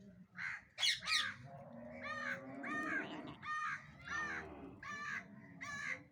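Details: Angry parrot giving harsh, raspy squawks, about seven short bursts spaced roughly half a second to a second apart, the first two louder and sharper, with a low murmur of background noise throughout.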